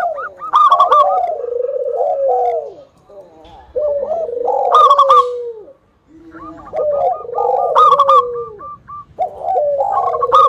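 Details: Local zebra dove singing strongly to prompt other doves to answer. Three bursts of bubbling coos end in drawn-out falling notes, separated by pauses and short runs of higher repeated clicks.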